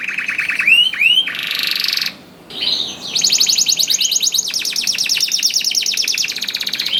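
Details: Canary in vigorous song, played as a lure to get reluctant canaries singing: rising whistled notes, a buzzy high block, then rapid rattling trills repeated several times a second, ending in fast chattering tours.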